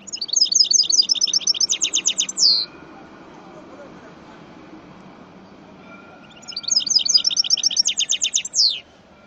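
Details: Caged goldfinch × canary hybrid singing two bright high trilling phrases about four seconds apart, each a run of quick repeated notes ending in a falling slur, with a low background hum between phrases.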